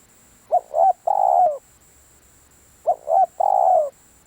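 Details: Two clear coo phrases from a decoy spotted dove, each made of two short upturned notes and a drawn-out falling croon, separated by a quiet pause of over a second.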